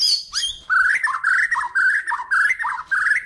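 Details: Kalimantan white-rumped shama, a master-song bird for tutoring other songbirds, delivering a fast chattering run of rolling, slurred notes in steady mid pitch, broken by quick high flicks.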